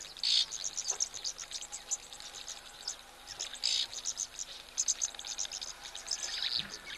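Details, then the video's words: Several oxpeckers at an African waterhole where a giraffe drinks, 20 May 2024, giving harsh, hissing, electric-sounding rattles in short high bursts every few seconds with thin ticks between, a sign of large animals nearby. "Hear that very sort of electric rattle of all the oxpeckers, that kind of noise that they make."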